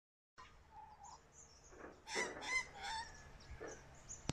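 Australian magpie gives a burst of harsh, warbling notes mixed with a few clear fluted whistles, over a steady background hiss.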